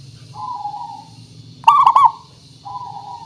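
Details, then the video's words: Zebra dove lure song from a local perkutut: faint level coos, then a loud rapid burst of rolling trilled notes, and a soft coo again. "Suara Pancingan Burung Perkutut Pikat Paling Bagus Supaya Bunyi"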